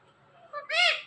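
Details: Pet Indian ringneck parrot talking, repeating a short mimicked word: a faint low syllable, then a louder, high, voice-like burst with rich stacked harmonics that rises and falls over about half a second.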